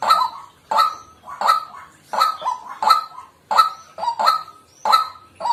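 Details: Repeated raucous honks from a white-breasted waterhen, about ten in under six seconds, each a grating nasal kwak, sometimes paired with a softer lower note right after.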